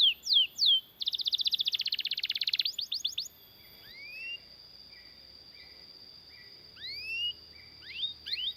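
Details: Canary singing a long song used for tutoring other canaries: a few sharp notes, a fast buzzy roll, quieter flat repeated notes and occasional rising whistles against faint background noise.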